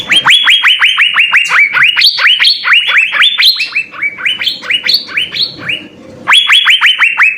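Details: Cucak biru (Asian fairy-bluebird) singing hard in full-filler style, a continuous stream of quick rising whistles, some pitched higher, with a brief dip in loudness before a fresh loud run.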